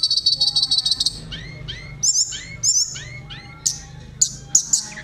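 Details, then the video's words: Sunda robin song for provoking other birds: a dense high rattling trill, then a series of upward-curving whistled notes spaced about half a second apart, broken by short sharp bursts. "tledekan gacor ngerol nyuling cocok buat pancing emosi burung"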